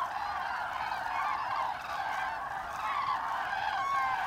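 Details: Migrating flock of common cranes in autumn, Hesse, Germany, October 2021, giving many overlapping trumpeting calls that blend into a steady chorus, a few clearer rising notes standing out near the end.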